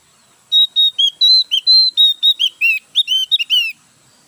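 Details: Newly bought caged Javan white-eye, still settling in and not yet in full song, delivering a continuous string of clear high whistled notes, some rising and some falling, for about three seconds in a quiet room.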